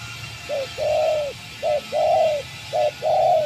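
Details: Spotted dove, a decoy bird being tamed after many days out in nature, used in dove trapping; low mellow cooing in three paired phrases, a short clipped coo followed by a longer drawn-out one, over a faint steady hiss.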